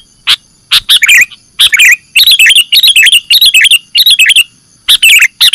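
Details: ['Sooty-headed bulbul call played to attract birds for catching: a single sharp note, then strings of bubbly twisting chirps in regular bursts with brief gaps.']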